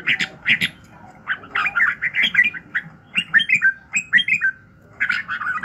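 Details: Morning song of a red-whiskered bulbul: lively chattering phrases of bubbly, slurred whistles delivered in rapid runs of five to eight notes, with short gaps between runs and a low constant hum behind.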